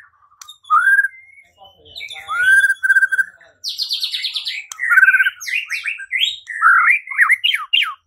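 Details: Song of a white-rumped shama played to provoke singing and fighting, rich whistled and slurred notes with buzzy high bursts, phrases rising and falling in quick succession.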